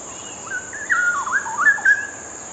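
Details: A pair of straw-headed bulbuls perched together, one preening, sing a short repeated duet to each other in rich, bubbling, liquid warbles tumbling up and down for about a second and a half, over a steady high whine.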